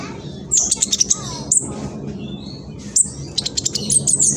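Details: Phone recording from East Java, Indonesia: a juvenile black sunbird (king konin) gives sharp, high chirps and short twittering runs, used to goad other king konin into singing, over a steady low background hum.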